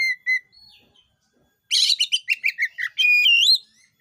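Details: Oriental magpie-robin singing to prompt other birds of its kind to sing: two short whistles, a quiet pause, then a run of harsh rasping notes ending in a loud, looping whistle.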